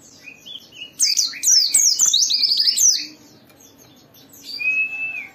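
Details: Lure song of a vigorously singing white-eye, meant to make other pleci join in: a few soft notes, then two seconds of dense, varied high warbling, closing with a quieter drawn-out whistle.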